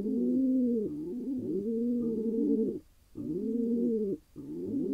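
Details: In Israel, a wild male pigeon that has just found a mate coos in long, low, rolling phrases, two of them separated by short silent pauses, steady and resonant.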